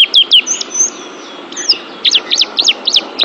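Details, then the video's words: Oriental white-eye, pleci, training song: quick high chirps, a thin drawn whistle, then a series of sharp rapid chip notes at regular short intervals. "TERAPI MENTAL PLECI ♫ DIJAMIN PLECI ANDA JADI JUARA ♫ Kicau Burung Terbaru"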